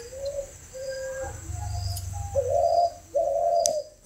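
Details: Captive-bred spotted dove cooing: soft low notes, then two longer, louder, hollow coos near the end. Each coo is a steady low tone. A faint rumble sits underneath and a sharp click comes right at the close.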